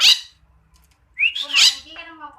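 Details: Pet black starling, able to copy human voices and other birds, gives a sharp high squeak followed by a rising slurred whistle and a harsh, voice-like descending phrase with a lingering tone.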